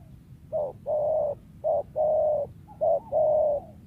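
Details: Wild spotted dove valued for luring, giving three rounded coo phrases, each a brief note followed by a longer steady hoot, evenly spaced over a quiet background.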